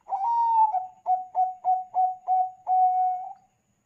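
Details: Bangkok-type zebra dove singing actively, used as a lure to set other zebra doves calling: one long wavering coo followed by five short clipped coos and a drawn-out final note, with a clean, quiet background.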